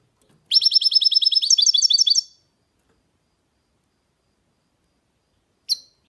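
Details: Singing goldfinch hybrid (goldfinch mule) delivering a loud, fast, buzzy-edged trill of high repeated notes lasting nearly two seconds, shifting into a slightly different twittering phrase near the end; a long silence, then one short sharp note.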